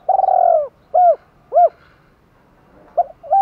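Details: A spotted dove calls to challenge rivals and to summon hens. A long, trilled, buzzy coo is followed by two short round hoots, then a pause and the opening notes of another phrase. The background is still.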